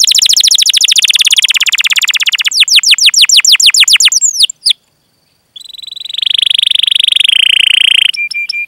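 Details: Canary rolling song meant to trigger singing in other canaries: a fast dense trill, down-sweeping notes, a short gap, then a smooth steady roll and repeated piping notes.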